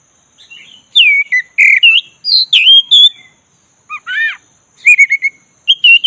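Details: Kacer dada hitam, the black-breasted Oriental magpie-robin, being stirred to sing: clear swooping whistles and chirps in quick succession, a harsh rattling note after a pause, then more repeated whistled phrases.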